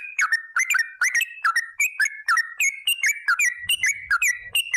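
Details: Straw-headed bulbul singing a long, fast 'ropel' song used as a lure to get other bulbuls singing: rich whistled notes with bright overtones, rising and falling in quick succession, about seventy per minute, with faint low thumps near the end.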